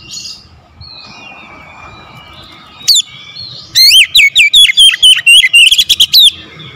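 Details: Faint twittering, then a single sharp note, then an oriental magpie-robin launches into a dense burst of loud, clipped whistles, about a dozen in quick succession. The bird is described as reluctant to sing.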